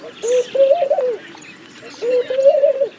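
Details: Laughing dove giving two soft, bubbling coo phrases, each a short note followed by a longer wavering run of low coos, about 1.5 seconds apart; faint high chirps from other birds behind.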